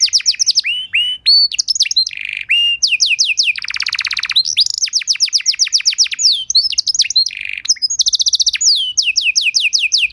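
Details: Canary master song for teaching other canaries to sing: long continuous varied song mixing fast repeated whistled sweeps, rasping buzzy trills and clear descending notes, with hardly a break.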